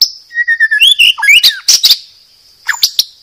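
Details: Medan white-rumped shama singing for a cage-bird training recording. A busy mix of whistles, slurred notes and sharp chips, then a brief pause and three short notes, all over a steady high hum.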